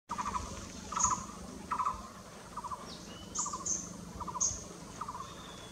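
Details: Blue-throated barbet calling at Nam Nao: low, rattling bursts of quick pulsed notes, repeated roughly every 0.7 seconds, with thin high chips and whistles from other birds overhead.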